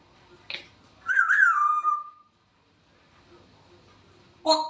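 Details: Captive grey parrot giving a long wavering whistle that settles into a steady lower tone, preceded by a brief click and ending with a short sharp burst; indoor background hum.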